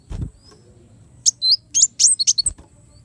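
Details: Kolibri wulung sunbird song, recorded for tutoring caged birds: a low thump, then a short burst of very high, sharp chirps and thin twittering notes over about a second, with faint low background hum.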